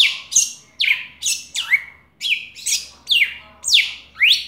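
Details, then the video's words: Red-cowled cardinal from Brazil's northeast, singing a lot to attract a female: a regular series of ringing, sweeping whistled notes, roughly two each second, some rising and some falling. "Galo da campina cantando muito chamando femia gravado ao vivo"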